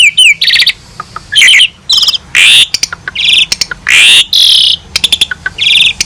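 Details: Asian pied starling tutor recording with full fills: loud harsh screeches and rapid chattering bursts alternate with short high whistles in a dense, energetic sequence.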